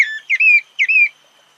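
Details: Two drawn-out slurred whistles from a thrush, each starting with a quick upward flick then gliding gently down, about half a second apart, over a thin steady high hum.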